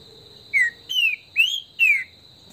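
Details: Esquenta warm-up song of a trinca-ferro, the green-winged saltator, in Brazilian bush: four clear whistled phrases, a short falling note, then falling, rising and falling slurs, against a constant high buzzing tone.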